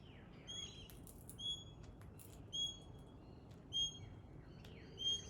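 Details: Pale-headed rosella giving clear, high piping whistles, each a short level note with bright overtones, repeated about every 1.2 seconds against a soft background hiss.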